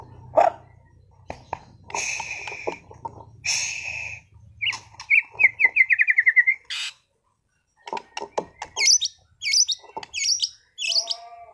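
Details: Caged white-rumped shama kept for singing contests in Sragen, Indonesia, in full song. Harsh bursts and sharp clicks lead into a rapid bubbling trill, then a pause, then high chattering notes and a few lower buzzy phrases.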